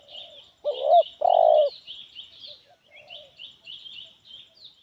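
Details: Spotted dove of the 'Kepala Sula' head type, with a medium, loud 'kuk 1' style voice. Two loud, low, hollow coo notes come close together near the one-second mark. Steady high chirping of other small birds runs throughout.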